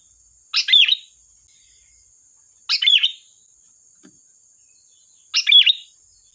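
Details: Energetic sooty-headed bulbul song used as a lure: three short, liquid, chattering phrases spaced about two and a half seconds apart, with a steady thin high tone behind them.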